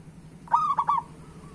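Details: Local zebra dove cooing to prompt lazy doves to start singing: one short phrase of three or four clear rolling coos, bright at the start and falling slightly at the end, over a faint steady low hum.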